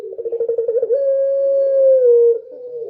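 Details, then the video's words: Dove song at night: a run of quick throbbing pulses rising into a sustained, level low coo that bends downward and fades near its end. "suara burung puter malam hari//midnight show singing bird dove//"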